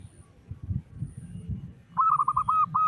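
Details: Local zebra dove with a big voice, used to prompt other zebra doves to sing quickly; after a low rumbling start, a rapid run of short, clipped cooing notes begins, each note slightly rising then falling.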